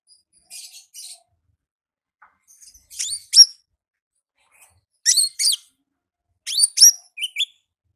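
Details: High, sharp chirps from a wild olive-backed sunbird in ngalas song, given in tight clusters of two or three notes separated by short silences.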